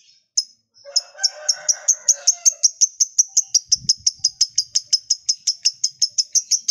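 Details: Lovebird in its long 'ngekek' trill, used to stir sluggish lovebirds into singing again: after a soft warble, a steady run of about thirty sharp, high pulses, roughly five per second.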